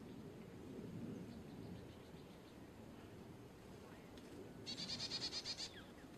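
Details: Carolina chickadee giving a rapid run of about eight buzzy, evenly spaced dee notes near the end, after several seconds of low rumbling background noise.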